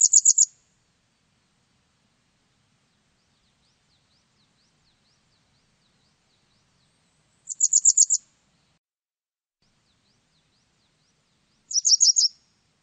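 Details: Japanese wagtail giving three short, high bursts of five or six rapid, sharp notes spaced several seconds apart, with faint high ticking between phrases.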